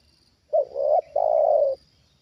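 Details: Spotted dove kept as a trained decoy for bird catching, calling in reaction to a wild bird: a clipped opening note slurring into a coo, a brief gap, then one drawn-out even coo.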